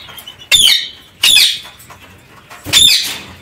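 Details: Parakeets kept in an aviary give three loud, harsh screeching calls, each a brief burst with a shrill ringing tone, spaced roughly a second apart over near-quiet background.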